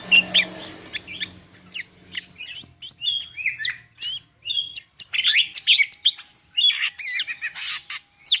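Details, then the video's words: Greater green leafbird (cucak ijo) from Medan in full varied song: rapid mix of sharp chirps, whistled upslurs and buzzy notes, densely packed, with a faint low hum early on. "cucak ijo medan_gacor full isian"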